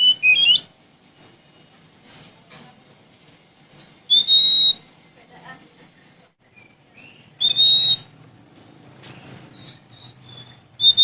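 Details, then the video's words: Challenge song of a Sumatran Oriental magpie-robin, delivered in spaced bursts: brief clear whistles and downslurs, two loud piercing notes several seconds apart, with soft twitters between. "Suara Asli Kacer Sumatra Gacor Cari Lawan"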